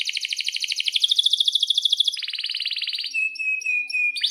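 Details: Canary in lively song meant to prompt silent or young canaries to sing: an unbroken rapid trill lasting about three seconds, shifting in pitch, followed by clear steady whistles broken by short high chirps.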